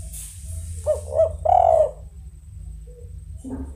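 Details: Tekukur (spotted dove) cooing: two short notes leading into a long coo, followed by faint low background sounds and a brief noise at the end.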